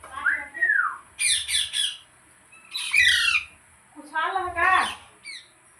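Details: Green parrot kept indoors, squawking in three harsh bursts: a falling whistled note, then clusters of grating, rasping squawks at roughly one-second gaps, with a low room hum.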